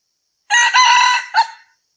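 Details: Red junglefowl in the wild giving a crow, 6/2/2020: loud, grating and quickly delivered, a held strident burst followed by one short abrupt final syllable, clean background.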